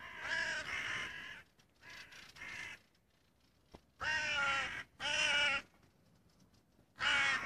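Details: Harsh, nasal crow caws from 25 June 2017, a pair of loud calls at the start, softer ones after, then two strong caws mid-clip and one more at the end, separated by quiet pauses.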